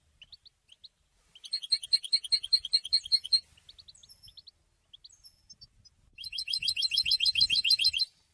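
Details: Educational recording of a singing European goldfinch. A few soft chips lead into a rhythmic phrase of evenly spaced tinkling notes. After scattered quiet notes, a longer, fast, buzzing twitter follows.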